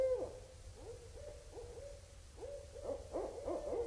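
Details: Barred owls vocalizing at Indian Cave in autumn 2012; a lively sequence of arched, wavering hoots, several birds seemingly overlapping, building to a louder burst near the end.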